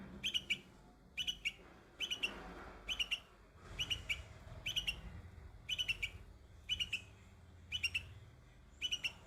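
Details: Young bulbul singing on white flowers: short clusters of two to four bright, sharp chirps repeated roughly once a second, over a steady low rumble of background noise.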